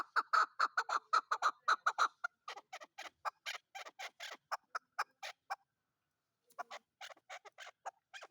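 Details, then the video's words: Chukar partridge, called chakor or keklik locally, giving a series of loud clucking notes about twice a second that grow sparser and quieter, then a short pause and a new burst of notes. "chakor Ki Awaz/ Chakor voice/ Hunter Chakor voice/ Desi Chakor voice/ Chukar voice/ keklik sesi."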